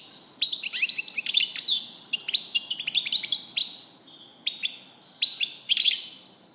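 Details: Goldfinch song: bright, fast twitters and descending chirps in lively phrases, a pause near four seconds, then further clipped tinkling bursts, all high-pitched and clean over a quiet background.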